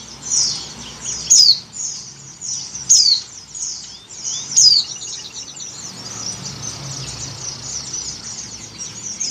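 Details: Female Oriental white-eye, in breeding condition, calling to attract a male: three high descending whistled notes spaced about one and a half seconds apart, followed by soft, continuous twitter.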